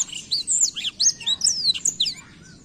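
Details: Rolling song of a Black-throated canary, played to provoke young birds into singing: a dense run of very high, quick swept notes and twitters, fading at the end.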